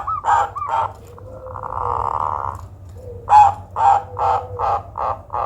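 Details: Odd zebra dove call said to work well as a lure: a few sharp notes, a long buzzy rasp, then a steady series of harsh, loud bursts roughly every 0.4 seconds.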